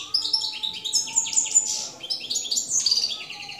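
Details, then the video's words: Campero goldfinch, 2017, delivering a fast, tinkling warble of high chirps and slurred notes with short buzzy phrases, plus a faint low steady tone beneath. "jilguero campero 2017"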